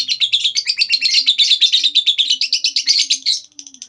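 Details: Long ngekek trill from a lovebird, played to prompt other lovebirds to join in: quick, continuous, scratchy high-pitched chattering notes pouring out nonstop for nearly four seconds, fading at the end, over a faint low hum.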